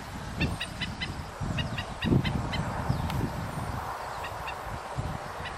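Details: An adult male black-necked stilt, with his family foraging on mudflats at Thompson Lake, Emiquon Nature Preserve, in September 2012, scolds the recordist with sharp, nasal yipping notes in quick bursts over low wind rumble.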